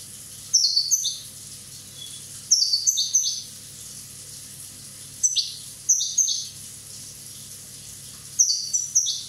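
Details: European goldfinch from Corsica, one year old, repeating short bright phrases of two or three high chirps roughly every one to two seconds, sharp and tinkling.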